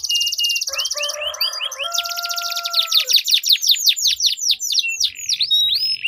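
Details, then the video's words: Canary duel of long rolling song, used to prompt canaries that stopped singing: a dense high trill, then a low buzzy roll with a steady whistle, followed by a long run of fast downward-sweeping notes. "Duel Burung Kenari Suara Merdu Ngerol Panjang || Pancingan Ampuh Kenari Macet Gacor Ngerol Panjang"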